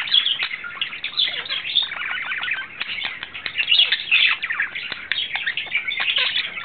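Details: Male budgerigar in love, courting, recorded in April 2009: a dense, continuous chattering warble of scratchy chirps, clicks and short whistled notes, with loud bursts rising and falling throughout.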